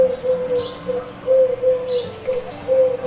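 A mourning dove gives soft, low, hollow coos in short steady pulses, with faint high chirps from other small birds.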